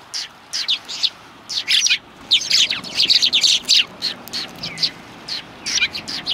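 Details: Flock of sparrows on a Tenmangū shrine bench, 21 January 2020. Scattered chirps build into a lively chattering run in the middle, then thin out again into separate tweets.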